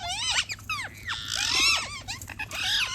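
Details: A flock of parrots chirping loudly: dense overlapping harmonic notes that swoop down and up, mixed with rasping buzzy squawks, a constant excited chatter with no pauses.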